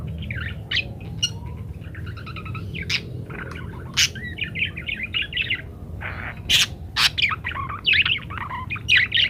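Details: Energetically singing parakeet in a varied master recording for teaching munias: a continuous stream of chattering, buzzy warbles and squeaky notes, with sharp high clicks cutting in every second or so, over faint low hum.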